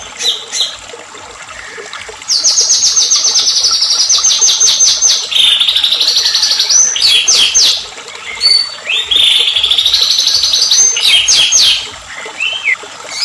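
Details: White-rumped shama singing emotionally to trigger other shamas: long high rapid trills alternating with lower sliding whistled phrases, repeated several times over thirteen seconds.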